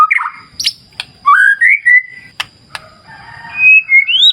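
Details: White-rumped shama in a wild clear-river nature setting, giving clear whistled notes: rising and falling slurs, several short sharp clicks, then longer sliding whistles climbing in pitch at the end, over a faint low rush and a thin steady high tone.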